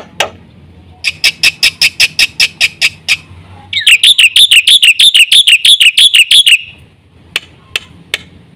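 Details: A black-winged myna in lively song. A steady row of loud, evenly spaced harsh notes is followed by a rapid series of squeaky, wavering whistled notes. A few scattered clicks close the phrase.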